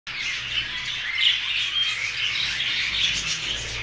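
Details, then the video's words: New Hogoromo budgerigars, many birds calling together: a dense, continuous wash of scratchy chirps and squawks, with brief brighter whistled notes standing out now and then. "عصافير البادجي الجديده .. البادجي الهوجورومو"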